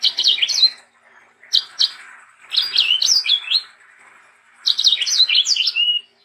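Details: Sanger singing as a tutor for young birds: three separate bursts of rapid, sharp chirping and slurred whistles, each about a second long, divided by short quiet gaps.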